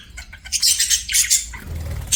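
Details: Budgerigar chirping: short loud bursts of harsh, raspy high chatter in quick succession, then a quieter pause.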